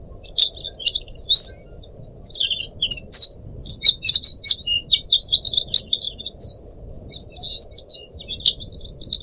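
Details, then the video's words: Pied Triller song from captive pet birds, a training track for other cage birds mixed with trickling water: dense bursts of high, sharp chirps and short warbled phrases, nearly continuous with brief gaps. "kicau burung decu kembang"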